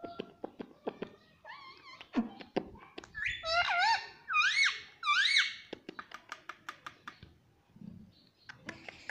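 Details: Pet talking parrot said to say "mummy" and "papa": a series of sharp clicks and taps, then a burst of loud, wavy, harmonic voiced calls rising and falling in the middle, followed by more rapid clicking.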